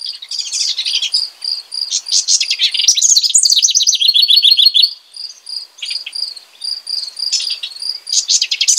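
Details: Rich bubbly song of a house wren: several bursts of rapid tumbling high notes and descending trills, interleaved with a regularly pulsing thin high tone between phrases.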